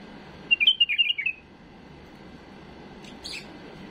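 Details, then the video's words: Tame caged bulbul singing an error-free tutor song for training young birds: a short run of quick warbled whistled notes falling slightly in pitch, then quiet, with a brief faint chirp near the end. "تغريد بلبل اليف خالي من الاخطاء لتخريج الافراخ"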